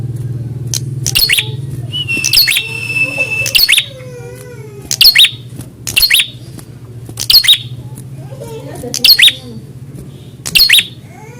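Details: Prinia reacting to a rival as a fighter test: loud, sharp chip notes every one to two seconds, an early steady whistled tone, and a constant low electrical hum.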